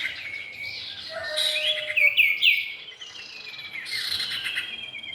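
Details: Cipow, male and female, heard as a lure recording: dense high chirps and whistled notes, several slurred falling whistles around the middle, overlapping buzzy twittering throughout, with a few lower drawn-out whistles.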